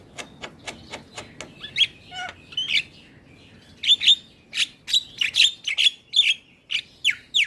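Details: Caged black-winged starling singing vigorously, recorded as a lure for non-singing starlings: a series of sharp dry clicks at a steady pace, then loud squawking whistles and rasping bursts repeated about every half second.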